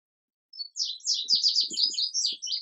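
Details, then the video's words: Indigo bunting song: after a brief pause, a fast run of high, sharp, downslurred whistled notes packed into roughly two seconds, with a few soft low thuds underneath. "Indigo Bunting Song"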